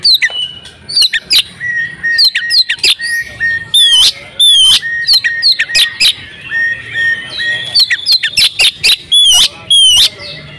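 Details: Female oriental magpie-robin in breeding condition, her call used to make males sing: clusters of sharp chirps and clicks alternating with steady whistled notes, repeated through the stretch.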